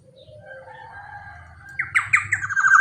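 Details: Big-bodied black-naped oriole calling vigorously, used as a lure for orioles: soft drawn-out tones at first, then a sudden burst of loud, grating, nasal notes repeated quickly to the end, with a low hum underneath.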